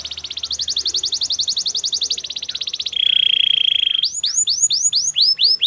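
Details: Canary song with a long fast pulsed trill, then a steady ringing whistled roll, finishing with a string of loud downward-curving slurred whistles.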